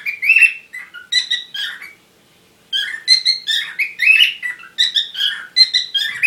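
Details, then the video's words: Parrots in a courting mood: a run of squeaky chirps stops for under a second of silence, then resumes as denser, brighter twittering chatter. "Любовь попугаев"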